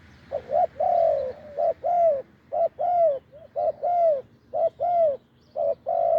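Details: Spotted dove, wild and deep-voiced, during decoy luring, delivering a continuous series of paired coos, short then longer and falling, about one pair per second, clear and resonant.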